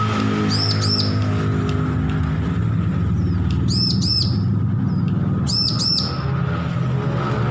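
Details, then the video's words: Bar-winged prinia youngster just off hand-feeding, learning its song, gives three spaced bursts of high, curved, stuttering chirps about two seconds apart, set against loud, continuous low rumbling noise and a steady hum. "Ciblek lepas loloh belajar bunyi full masteran"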